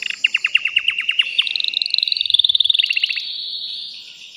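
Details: Caged male canary singing hard to stimulate a female for breeding. Crisp descending notes repeat about eight times per second, then merge into a higher, rolling trill and a shorter, faster burst before the song tails off.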